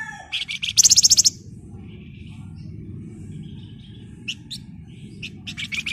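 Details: Energetic Flamboyan song in rapid ngebren and shrill nyerecet style, suited as a lure: quick chirps open into a loud fast trill, silence follows, then isolated sharp notes building to a closing flurry, over a faint low rumble.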